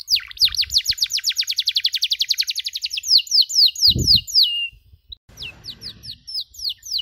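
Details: Canary chirping on a training recording: a dense rolling trill of quick descending notes, slowing into louder slurred whistles, a brief pause, then softer sweeping notes over light background hiss and a low thud.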